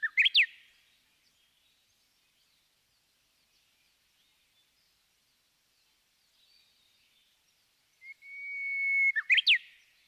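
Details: Japanese bush warbler song: a flourish of quick up-and-down notes at the start, long silence, then near the end a steady high whistle and another sharp, tumbling flourish.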